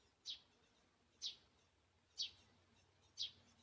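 Great spotted woodpecker giving four sharp, high 'kik' notes, evenly spaced about a second apart, over faint low background hum.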